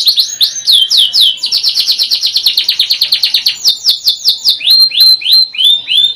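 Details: Singing canary, a bird used for tutoring others, delivering loud rapid trills of repeated downward-sweeping whistled notes, several runs at changing speeds, with fast rolls in the middle and slower, spaced sweeps toward the end.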